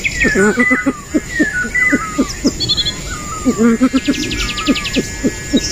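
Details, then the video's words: Southeast Asian pheasant calling in bursts of low, clucking pulses with brief pauses, against whistling songbirds and a rasping insect chorus. "Southeast Asia Pheasant/G'awꞈ/ไก่ฟ้า"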